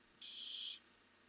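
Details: Barn owl at night, 1 July 2015, on a camera as two owls head out into the dark: one steady, hissing screech lasting just over half a second.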